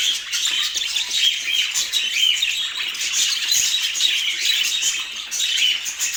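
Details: Continuous high twittering from pet budgerigars in Portland, with repeated bright chirps and scratchy warbles overlapping in a lively, even chorus.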